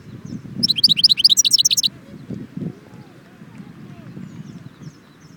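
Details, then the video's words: European goldfinch singing at Jbel Wahch, Constantine: a rapid burst of bright, tinkling, high twittered notes lasting about a second and a half, then low murmuring background sounds. "chardon chant Constantine jbel wahch"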